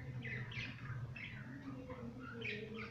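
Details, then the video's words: Pet budgerigars playing, giving a run of short chirps and scratchy warbled notes that rise and fall, with a steady low hum underneath. "My budgies playing"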